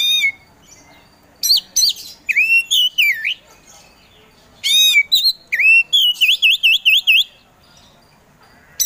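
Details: Kacer poci, a kept Oriental magpie-robin in full vigorous song as a provoker bird: loud clear whistled phrases, some rising and falling in wavy trills, in two bursts split by short pauses.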